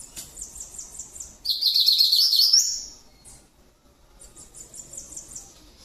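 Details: Double-collared seedeater singing in the 'grego tirano' song style: thin high repeated notes at first, then a loud, rapid, warbling trill lasting about a second and a half, followed by a pause and softer repeated high notes.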